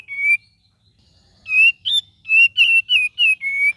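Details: Cream-vented bulbul singing a gacor and ngeriwik variation: a lone whistle, then a quick chain of six or seven bright, slightly wavering whistled notes.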